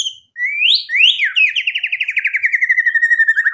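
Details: White-rumped shama in full song, used as a lure for other shamas: two rising whistled swoops lead into a long, steadily pulsing rattle of about three beats per second.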